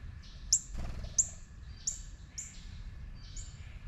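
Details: Juvenile northern cardinal giving short, sharp high chip notes, five in about four seconds at irregular spacing, each a quick downward-slurred tick, over a low steady background hum.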